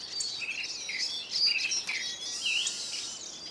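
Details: Eurasian siskins crowding a bird feeder in Kolmården, Sweden, filmed from underneath: lively high-pitched twittering with several short whistled notes, some rising and some falling, packed close together.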